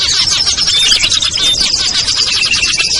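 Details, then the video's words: Lure recording of small birds meant to draw hard-to-attract birds down, featuring ciblek, kutilang, trucuk, sogon and perenjak: a dense, busy chorus of high chirps and twitters layered over one another without pause. "SUARA PIKAT BURUNG KECIL burcil AMPUH"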